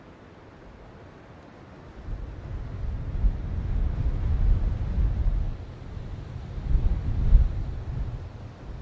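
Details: Deep wind rumble rising after two seconds and gusting unevenly, with no animal calls audible.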